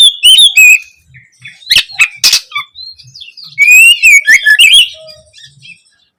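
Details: Oriental magpie-robin intro song as learning material for juveniles: clear wavering whistles, loud harsh chirps in the middle, then another rising whistled run trailing into soft twitters.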